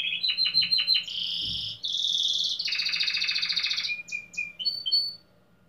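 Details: Competition-entered domestic canary in Pelotas, Brazil, singing bright high phrases: quick repeated chips, then sustained rolling trills, a lower rattling tour, and a few clear whistled notes near the end, in an indoor setting.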